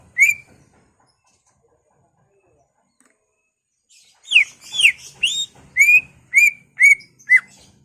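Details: Greater green leafbird in full ngentrok song with mimicked phrases, used to provoke other leafbirds. One loud whistled note, a pause of several seconds, then seven clear slurred whistles, about two per second, some rising and some falling, in a quiet setting.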